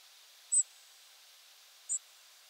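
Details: A group of European Robins migrating at night, early October 2022 at 4:20 am, give flight calls: two very high, piercing, brief notes about 1.4 seconds apart over a faint steady hiss.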